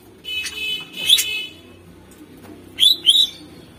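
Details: Greater green leafbird song used to lure contest birds: a rich, harmonic ringing phrase with a bright accent, a pause, then two quick rising slurred whistles in succession.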